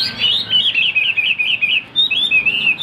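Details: Caged Chinese hwamei, said to be about 95% tamed to its cage, singing strongly: a continuous run of loud, clear whistled notes with quick upward and downward slurs, barely pausing across the phrase.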